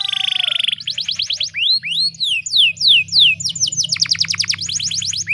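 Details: Female canary song meant to lure a male: an opening rapid buzzy trill, then steep upward and downward swept whistles and fast repeated chirps, with a faint low hum beneath.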